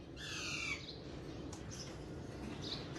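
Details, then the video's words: Alexandrine parakeet letting out one harsh, harmonic-rich squawk lasting about half a second, followed by quiet background noise with faint distant chirps. "Alexandrine Parrot Natural Sounds || Alexandrine Parrot Natural Voice"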